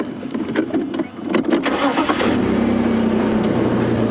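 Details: A car engine starts and revs with some rattling, then settles into a loud, steady running hum; no animal calls.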